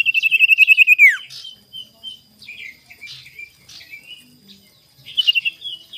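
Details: Sirtu in the morning on a lure recording meant to anger rivals. A quick steady trill ends in a falling sweep, followed by sparse soft chirps and a brief burst of twittering near the end.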